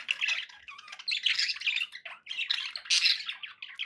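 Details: Pet budgerigars chattering together, a dense stream of scratchy, warbling chirps and squawks pitched high, in bursts with brief pauses, several birds overlapping throughout.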